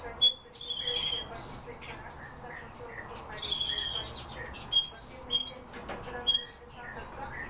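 Eurasian bullfinches give short, clear whistled notes, some flat and some gently sliding, scattered through the clip among other chirps, clicks and faint background noise.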